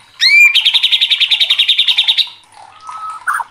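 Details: Agitated white-rumped shama (murai batu) sings: a sweeping whistled upslur, then a rapid rattling series of about seventeen even high notes, followed by softer, quieter phrases.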